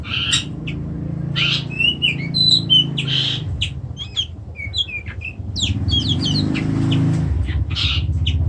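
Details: Oriental magpie-robin (kacer) in a cage produces rapid scratchy chips and brief whistled slurs in uneven clusters, with a steady low-pitched hum underneath.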